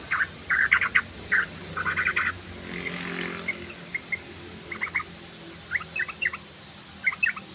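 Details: Yellow-vented bulbul (trucukan) lure recording intended to make the bird sing: bursts of bubbly chirps in short clusters, separated by pauses, growing sparser and softer toward the end over a low background hum.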